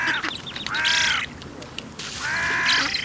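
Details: Begging young Eurasian spoonbill, Bislicher Insel, September 2021: drawn-out, nasal, wheezy whining notes with a harmonic ring, two long calls in quick succession.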